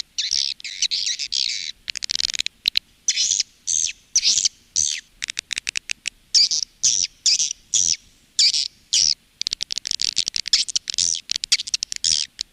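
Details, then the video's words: Lure sound of calling and roosting swiftlets, as used by swiftlet farmers in Indonesia. Rapid, shrill twitter bursts come in a choppy rhythm with frequent brief silences throughout. "SUARA PANGGIL DAN INAP BURUNG WALET"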